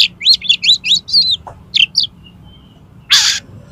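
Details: Oriental magpie-robin with its tail open, singing its full repertoire to provoke a rival into fighting. A rapid run of looping whistled notes, then a few clipped chirps and one harsh rasping burst near the end.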